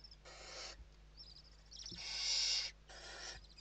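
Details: Western barn owls at an indoor nest in Spain, evening feeding, 29 November 2023: two broad rasping hisses, the second louder and longer, separated by a brief pause with soft chittering notes.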